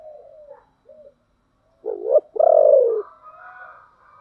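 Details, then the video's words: Spotted dove decoy with a thick 'thổ' voice, calling to attract wild doves. Soft preliminary coos, then a clear phrase of a short wavering note and a long, strong, level coo, followed by quieter distant cooing. "cu gáy giọng thổ đặc/ tieng cu gay kich boi nhanh noi"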